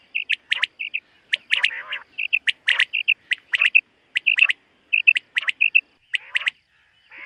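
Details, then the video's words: Common quail calling on a summer meadow in the morning: short clipped notes in quick pairs and triples, repeated steadily, mixed with harsher rasping bursts from other birds. "Common Quail. Bird sounds from summer meadow |suba batair ki awaz 2023 | morning batair 2023"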